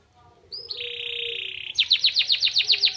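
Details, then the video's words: Singing canary carrying white-eye (pleci) material: a brief upslurred whistle leads into a long, even, buzzy note lasting about a second, followed by a quick string of loud downslurred chirps. "Burung kenari bocor materi pleci untuk menaikan emosi"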